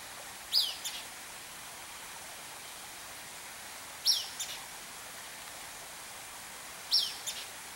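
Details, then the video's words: An Empidonax flycatcher gives three brief, sharp high notes, each followed by a fainter second note, spaced three seconds apart over a steady hiss. "Empidonax Flycatcher"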